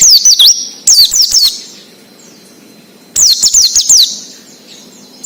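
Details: Ngalas wild-style Oriental white-eye song, used to lure untrained captive birds into singing: three bursts of sharp, very high, down-slurred twitters, each under a second, separated by silent pauses.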